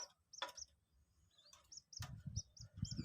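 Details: Two-day-old Common Moorhen chick, captive, being hand-taught to eat feed: short high peeps in loose pairs and a cluster near the end, with handling knocks and low rustling underneath.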